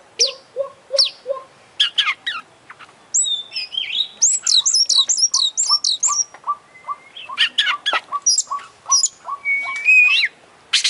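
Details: Champion Oriental magpie-robin singing full 'isian' song, mixing evenly repeated mid-pitched chips with high sharp whistles, a fast scratchy warbled passage and long drawn sliding notes near the end.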